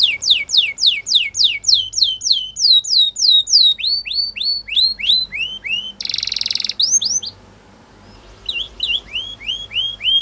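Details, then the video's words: Spanish Timbrado canary delivering repeated downslurred then upslurred whistled notes about three per second, broken by a short dense metallic roll, a pause, and a resumed series of rising notes. "Spanish Timbrado Canary Singing"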